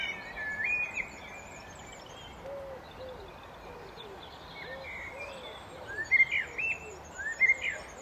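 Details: Common blackbird in the open, a low fluting warble near middle pitch at intervals, then higher whistled phrases that rise at the end, with other small birds chirping high and a steady background hiss.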